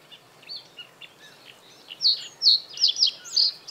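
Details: Territorial song of a male common reed bunting perched high on reed stems over water during the breeding season: faint scattered notes, then a quick run of five loud, bright, high chips near the end.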